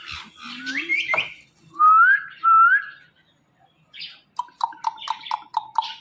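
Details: Pet talking ringneck parrot indoors: a low rising whistle, two clear upslurred whistled phrases, then a quick run of six short sharp chirps, with brief quiet gaps between.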